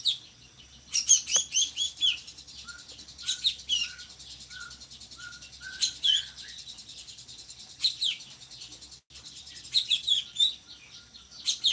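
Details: Drongo singing, the kind used as a master bird for other songbirds: scattered bursts of high chirps alternating with a measured series of soft, low whistled notes, ending in more high twittering.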